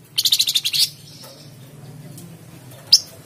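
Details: Flamboyan bird used as a lure to prompt caged birds to sing: a rapid buzzy trill of about ten high pulses lasting under a second, then quiet with a low hum and a single sharp high chip near the end.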